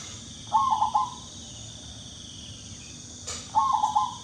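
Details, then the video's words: Two faint, short phrases of quick coos from a Bangkok-type zebra dove, separated by a long pause, over a steady background hiss. The calls are played to encourage birds that rarely sing. "MENGATASI PERKUTUT BANGKOK YANG JARANG BUNYI"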